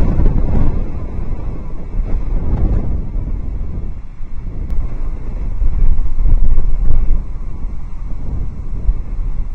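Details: Loud, steady rumble of wind buffeting the microphone with low-pitched roaring gusts and no animal voice heard.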